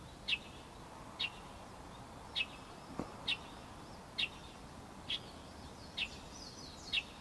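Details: Light-vented bulbul giving a string of eight crisp, high, clipped notes, repeated roughly every second with slightly uneven spacing, against a soft hiss.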